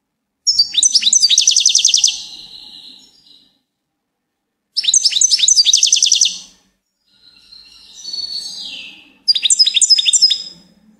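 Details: Goldfinch singing in repeated phrases: fast, glittering twitter bursts that fade into a wheezy tail, one descending nasal buzz between them, and a final sharp, rapid twitter.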